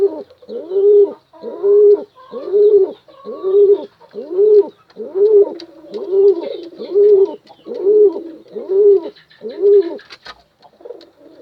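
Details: Pigeon calling to a female: loud, low, rounded coos repeated steadily about once a second, roughly twelve in an even series, with faint higher twittering in the background.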